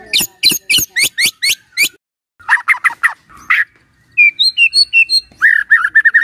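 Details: White-rumped shama song played in the morning to coax a silent bird into singing: a run of sharp rapid downswept clicks, a pause, buzzy notes, then whistled trills and a fast repeated phrase.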